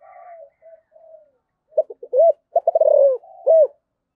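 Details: Spotted dove with the giọng thổ voice style, cooing its calling song: soft low opening notes, then a stuttered series of clipped coos ending in two full, rounded hoots, with a clean, quiet background.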